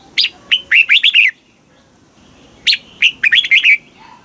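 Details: Southern master-style song of a red-whiskered bulbul, used to stimulate caged birds and tutor youngsters: two brisk phrases of chirpy, bouncing whistles, the second following after a silent gap of over a second.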